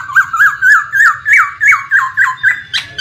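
A laughingthrush gives a rapid series of loud, ringing notes that rise and fall, about three or four each second, over a faint low hum.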